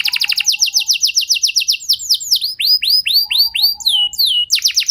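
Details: Canary song used as a lure to prompt other canaries into long singing: a fast, high buzzy trill, then a series of clear downward-sweeping whistles repeated about four per second, a low soft note, and a final rapid trill.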